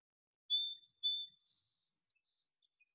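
A Song Sparrow opens with two clear, level whistled notes, then a long, high, buzzy trill, and ends with softer scattered chips. No other sounds are heard.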